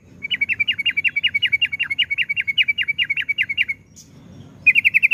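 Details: A yellow-vented bulbul gives a sustained trill of crisp repeated notes for about three and a half seconds, used as a lure for other bulbuls. After a brief pause, a faster buzzy run begins.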